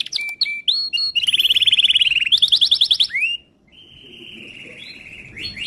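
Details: Timbrado canary training song with clipped chirps, a fast rattling trill, a rising note, then a soft steady whistle that fades before new notes start.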